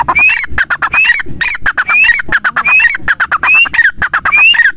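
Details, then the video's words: A grey francolin repeats a loud, harsh phrase of clipped notes and a rising whistle, about every eight-tenths of a second. "Birds sound | birds video | Titer | titir | tetar |partridge bird | partridge family | Teetar"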